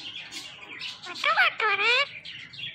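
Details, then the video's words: Pet talking parrot giving voice-like harmonic sounds, two wavering, bending utterances in quick succession, rising then falling, against a soft background hiss. "Beautiful And Amazing Talking Parrot"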